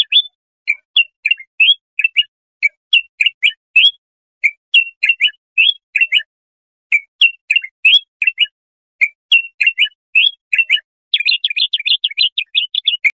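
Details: Bulbul singing, meant for teaching young goldfinches or goldfinch hybrids: short two- and three-note chirped phrases repeated with brief pauses, ending in a fast, dense burst of trilled notes; no other sounds.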